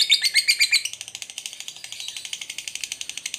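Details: Lovebird ngekek used as a lure to stir another lovebird to fight: a few louder chirps at the start, then a quick, slightly softer chattering trill.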